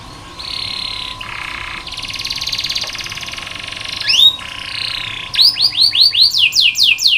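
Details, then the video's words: Canary tutor recording for teaching other canaries: buzzy sustained trills rising and falling in loudness, a couple of sharp rising whistles, then a run of loud descending sweeps about three per second. "KENARI malas bunyi, Terapi untuk kenari masteran canary"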